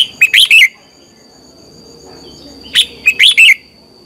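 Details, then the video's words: Red-whiskered bulbul singing in the morning, played to train birds: two brisk phrases of clear, warbled whistles sliding downward, about two seconds apart, over a faint constant high hum. "Luyện chào mào hót sáng - QUÁ HAY KÍCH CHÉ"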